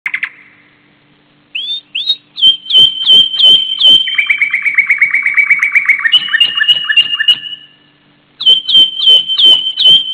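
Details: Thrush nightingale singing in spring at sunrise: loud, varied phrases of clear repeated whistled notes, a long rapid descending trill, and sharp clicking strokes, with a steady faint low hum underneath.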